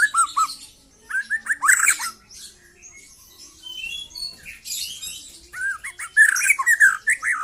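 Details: Young white-rumped shama in its trotol song: bursts of short, slurred whistles with some harsh, squeaky notes mixed in, separated by quiet gaps and rising again toward the end.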